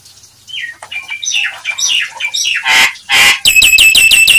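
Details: Nias hill myna calling to provoke other mynas: a string of varied loud whistled notes rising and falling, followed by two harsh explosive squawks and a rapid series of ringing, metallic pulses.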